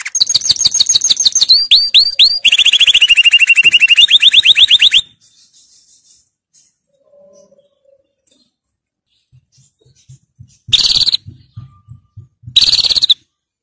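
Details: Song of a canary for schooling young birds: dense rapid trills and rising whistled notes for five seconds, then near silence with faint low knocks and two brief loud chips.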